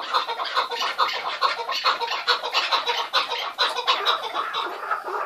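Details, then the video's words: Several chukar partridges calling together in a keklik hengamesi, producing loud, rasping, rapidly repeated chuck notes that blend into a dense, rhythmic chorus. "Keklik Sesi Muhteşem (Keklik Hengamesi)"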